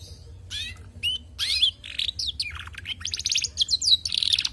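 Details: Female canary song building from a few sharp upslurred chirps into a dense, loud run of buzzy trills and rapid repeated high notes toward the end, with faint low background hum.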